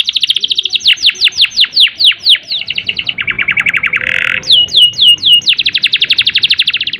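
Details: Long canary roll used as a stimulus for listless, non-breeding canaries. Descending chirps quicken into a lower buzzing trill, then a harsh burst, followed by swooping notes and a fast repeated trill.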